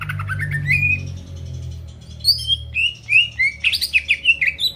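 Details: Greater green leafbird song meant to get rival birds singing: after a low hum fades, sharp whistled notes and quick slurred phrases build into a fast, varied sequence of rising and falling chirps.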